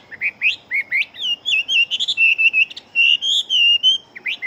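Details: Chinese hwamei, a fast-singing fighting bird, in full song: quick upward-sweeping whistles, then a long wavering run of loud, warbled notes, with short gaps and a fresh rising phrase at the end.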